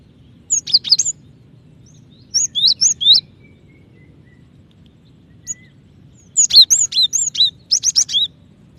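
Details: Female cinereous tit calling the male, a call said to make other tits sing faster; three quick bursts of high, sharp chirping notes, each burst a rapid string of three to five thin whistled notes, with quiet pauses between.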